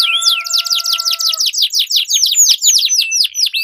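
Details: Dueling canary song, long rolling style used to train competition birds: a rapid series of high downward-swept whistles, with two steady faint tones underneath at first, then looser overlapping swoops.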